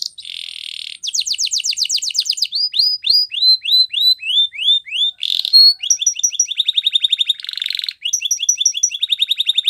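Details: Canary training song starting with a buzzy roll and a rapid sweeping trill. A run of looping downslurred whistles follows, then quick chattering trills broken by a harsh buzz.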